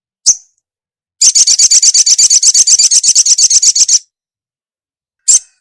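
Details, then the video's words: Female ruby-cheeked sunbird calling a male: one sharp chip, then a fast, even rattle of high ticking notes for almost three seconds, closing with another single chip. "SUARA SOGOK ONTONG BETINA GACOR MEMANGGIL JANTAN"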